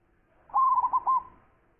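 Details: Local zebra dove (perkutut lokal), praised as a champion with a big voice and singing freely, gives one rolling coo phrase of about four rounded notes at a low, steady pitch, with a quiet background.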